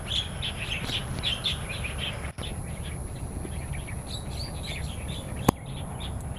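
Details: Starlings in the wild in Taiwan: busy overlapping chirps and whistles, strongest in the first two seconds. There is a brief dropout and a sharp click later, over a constant low-frequency background noise.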